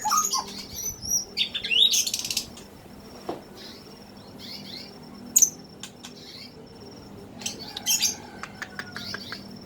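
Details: Caged songbird, taken young from the forest in 2016 and kept by Indonesian bird hobbyists: scattered sharp high chirps and short rising whistled notes, with loud bursts near two and five seconds and quiet gaps between phrases.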